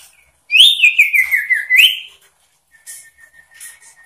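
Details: Energetic, persistent sooty-headed bulbul song with varied phrases that provoke rivals: one loud rattling trill of about one and a half seconds, dipping in pitch then rising again, followed by a faint, steady thin whistle.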